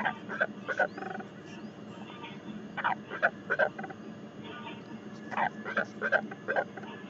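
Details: Northern royal albatross, New Zealand, 12 February 2021, giving hoarse, braying calls in three clustered bursts of short harsh notes, over a steady low rumble of wind.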